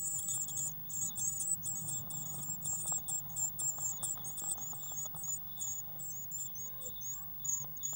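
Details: Sustained chorus of very high, squeaky chirps in rapid bursts from a Eurasian blue tit nest box on 19 May 2019, real-time recording near a waxworm feeder; low electrical hum underneath.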